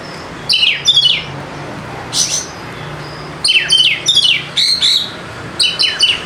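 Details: Lure song of the white-rumped shama for prompting silent birds: repeated paired bursts of high, downward-sweeping chips with varied phrases and short pauses.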